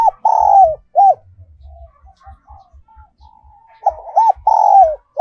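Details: Spotted dove decoy song in the 'còi' (whistle) voice style, also called 'kim' (needle) voice: loud, hollow, arched coos in a quick phrase, a pause with soft murmurs, then the phrase again. Regular low soft knocks tick in the background.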